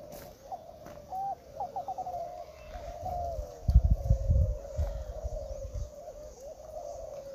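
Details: Spotted dove cooing at a 2021 singing contest held at Gunung Kembar, East Lombok, Indonesia: a run of low, soft repeated coo phrases, broken midway by dull thumping knocks.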